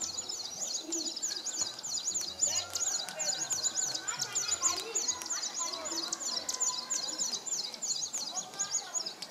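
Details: A displaying male São Tomé prinia at Nova Moca, São Tomé, on 19 January 2019 sings a fast, high, scratchy phrase without pause, several notes a second, with fainter calls of other birds underneath.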